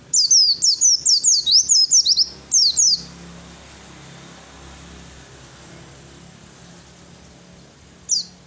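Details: Fighter Oriental white-eye song meant to make other birds reply: a burst of high, quickly descending chirped notes for about three seconds, then a long quiet stretch and one last brief note near the end.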